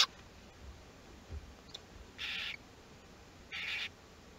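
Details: Nest box of Western barn owls at Théding, France, on 22 August 2021, as chicks of the second brood hatch: two moderate rasping hiss bursts about 1.3 seconds apart, with faint rustling and knocks between them.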